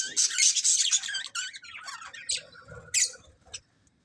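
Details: Budgies giving a loud flurry of high, grating chirps and squeaks, fading into scattered softer notes and then quiet.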